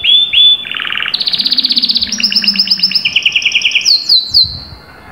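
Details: Canary singing energetically, offered as a track to prompt other canaries to sing: a long whistled note leads into fast buzzy trills, then pulsed rolls at several pitches, closing with sharp descending whistles. A faint low hum sits underneath.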